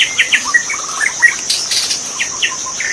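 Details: Magpie-robin heard wild in forest, giving quick, irregular chirps and short whistled notes roughly every second, with a brief rustle and a persistent high-pitched insect chorus.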